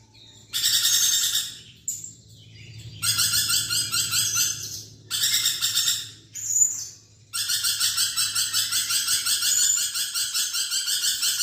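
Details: Actively chattering lorikeet, recorded for teaching a songbird: rough, grating pulsed bursts come in four spells, the last one long and steady, with a few short squeaks between them and a low hum in the background.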